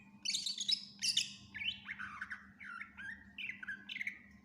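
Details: Greater green leafbird in full voice with mimicked fills, used to teach other birds: two bursts of harsh high chatter, followed by a series of lower looping whistled notes that gradually drop in pitch, over a constant hum.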